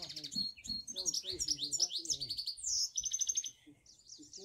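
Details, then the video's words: Cock finch mules from a group of three singing together, a busy high warble of rapid trills, rising and falling twitters and slurred whistles, briefly pausing near the end. Softer chattering lower notes mixed in. "3 Cock mules singing finch"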